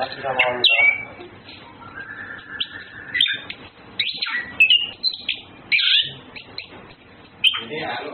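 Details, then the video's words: Male and female Orange-headed thrushes flirting: a melodious song mixing a long level whistle, upward-slurred notes and dense scratchy twittering, delivered in spaced bursts with brief silences. "Birds Anis Kembang flirting Males Females birds"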